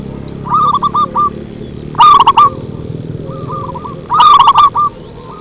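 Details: Lure call of zebra dove: a moderate cooing phrase, then two loud, harsh, distorted bursts of quick coos, with gentler cooing between them.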